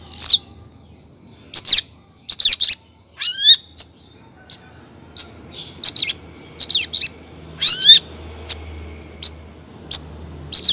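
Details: Long-tailed shrike, female calling the male: sharp harsh notes in quick pairs and triplets, broken twice by a rising, rattling trill, over several seconds.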